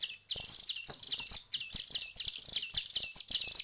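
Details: Begging chorus of hand-fed songbird chicks one week into hand feeding: an almost continuous stream of high, harsh, downslurred notes repeated several times a second.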